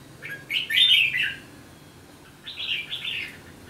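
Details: Red-whiskered bulbul delivering a rich, warbling phrase, then a pause of over a second before a second bubbling phrase, clear and close in a quiet setting.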